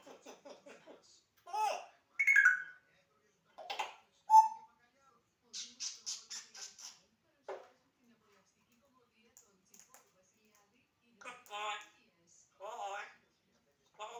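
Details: Pet African grey parrot, which talks a lot day and night, giving scattered speech-like mimicry, whistled notes, rapid breathy syllable runs and short clicks, separated by silent pauses in a quiet room.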